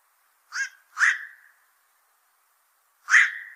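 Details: Black-crowned night heron, a fish-eating pest of fishponds, uttering a quick pair of rough croaks followed by a third louder harsh squawk two seconds later, with no other sounds.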